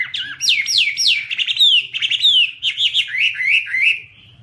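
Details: Chinese hwamei singing and waving its wings: loud, clear whistled notes, each sliding steeply downward, repeated in quick succession and then softening into shorter warbled slurs, a faint low hum behind.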